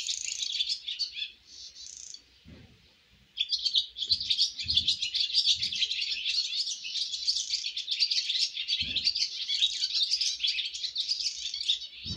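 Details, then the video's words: Swallow fledglings on their maiden flight: after a few scattered chirps and a short lull, a long burst of busy, high twittering from many birds, with several soft low thumps. "Yavru kırlangıçların yuvadan ilk uçuş şarkıları 🥰 First flight songs of baby swallows"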